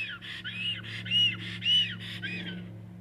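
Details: Black stork chicks, five young being fed by a parent at a nest in Jõgeva County, Estonia, on 29 May 2022, caught on a nest camera: loud hoarse arched calls repeated about twice a second over a steady low hum.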